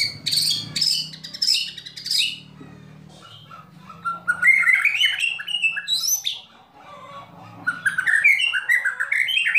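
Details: A White-rumped shama gives kretekan and tembakan to stir other shamas into song: buzzy high phrases at first, then long, varied runs of lower whistled notes stepping up and down; faint low hum.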